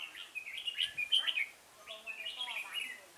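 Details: Red-whiskered bulbul singing at a decoy-bird trapping site in Chùa Hương, Vietnam, 5 March 2018; rapid sweet whistled notes with sharp peaks, then a softer warbling phrase alongside faint low voices.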